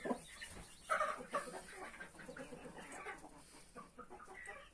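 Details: Mother hen with her 31 newborn chicks, giving low clucks mixed with high, thin chick cheeps, busy and overlapping, over a steady background hiss.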